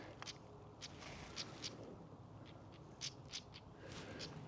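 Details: A European stonechat at Thursley Common, England, on a fine late-May morning, 25 May 2024, on heathland recovering from fire, gives sharp, dry tacks like two pebbles knocked together, about eight at an uneven pace, over a low wind rumble.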